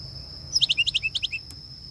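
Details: Greater racket-tailed drongo (Dicrurus paradiseus), with two long racket tail feathers, giving a flock call: a quick burst of about ten clear, metallic whistled notes in under a second, over a steady high-pitched whine.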